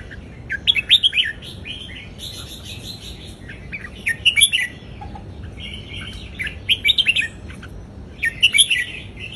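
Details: Southern folk-style song of an Indonesian-type red-whiskered bulbul, played to teach young birds and rouse others: several short, sweet warbled phrases spread over the clip amid background chirps.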